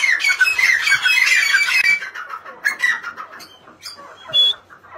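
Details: Grey francolin with two seconds of loud, shrill, rasping calling that then fades into softer scattered notes. A few short clear whistles follow toward the end.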